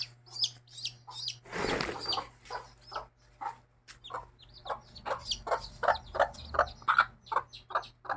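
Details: Mother hen and her chicks, a busy stream of rapid high peeps overlapping with lower clucking notes, a burst of rustling noise early on, then steady chattering to the end.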